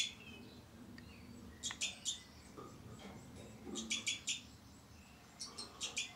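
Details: Captive breeding pair of two-barred crossbills with young, recorded in 2012: faint bursts of three or four quick, high, slightly buzzy chips in clusters, with soft lower rustling between them.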